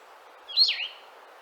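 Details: Blue-headed Vireo in Ontario giving its song: a single sweet, slurred phrase that rises then drops, lasting under half a second, slower and sadder than Red-eyed Vireo's, over a steady background hiss.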